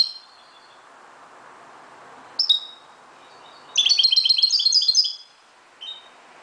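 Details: Moroccan European goldfinch at dawn: scattered short twitters, then a dense burst of bright, rapid jingling notes lasting over a second, followed by a single soft chirp.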